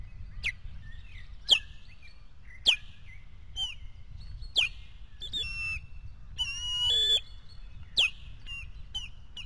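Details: Osprey at its nest during an intruder attack, 15 May 2024: sharp, high whistled alarm notes repeated roughly every second, with a longer strained tonal call midway, over steady low rumbling background noise.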